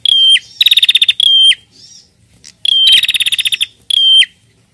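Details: Female bar-winged prinia calling the male: short buzzy notes alternate with longer rapid pulsed rattles, all high and piercing. A brief lull in the middle carries faint chirps.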